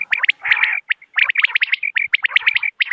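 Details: Common quail lure call: rapid, crowded sharp notes in quick triplets with a brief raspy burst, forming an almost continuous bright chatter.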